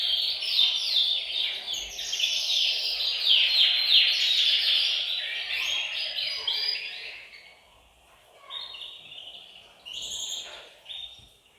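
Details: Several canaries singing together in a bird room, used to stimulate males to sing and ready females for breeding: dense overlapping high trills and rapid repeated notes, loud at first, then fading into sparser phrases and bright whistles near the end.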